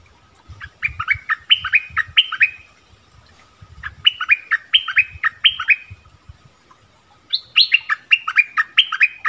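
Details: Orange-bellied flowerpecker song used as a lure for wild birds and for training young birds: three bursts of sharp, high, down-slurred chips in quick runs, separated by short pauses, with low dull thumps underneath.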